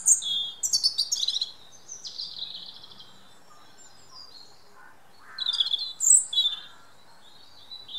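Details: Robin redbreast singing in woodland, delivering quick clusters of high, thin warbling and trilling notes, separated by short pauses, with a quieter lower phrase in the middle and another bright burst near the end.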